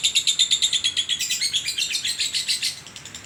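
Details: Champion contest lovebird in Sragen singing its long ngekek: a shrill, rapidly pulsed chatter that grows denser and harsher midway, then fades slightly at the end.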